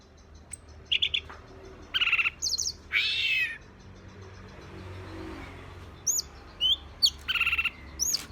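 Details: Green leafbird (cicak ijo), agitated, gives harsh buzzy squawks and rattles between high whistled slurs, with pauses of quieter background.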